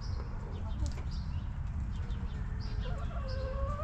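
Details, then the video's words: Backyard chickens in a homestead coop, with soft tonal hen calls that rise and waver near the end over a steady low rumble and faint high chirps. "Rooster Crowing! Hens Clucking!"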